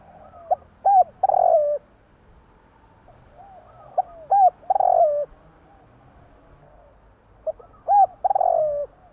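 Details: Spotted dove, Javanese tekukur, cooing at night: three phrases about four seconds apart, each a short clipped note, a rounded coo, then a long burry coo gliding lower at the end.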